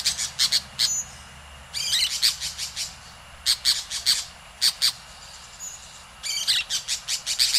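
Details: Orange-chinned Parakeets in Costa Rica give shrill, scratchy chattering notes in quick bursts, with short pauses between flurries of rapid high squeaks.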